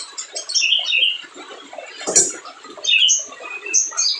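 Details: Spiderhunter song for stirring up silent birds: short, sharp high whistles in twos and threes, separated by quieter scratchy chatter, with one abrupt loud click near the middle.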